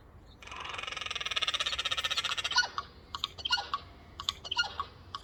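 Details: Four Eurasian jays on a windowsill make a noisy chorus of strange sounds: a fast, dry rattling chatter for about two seconds, then a string of scattered harsh clicks and raspy notes.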